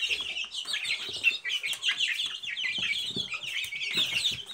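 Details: Silkie chicks peeping in a busy, shrill chatter, rapid short notes crowding together, some slurring downward, steady across the whole stretch.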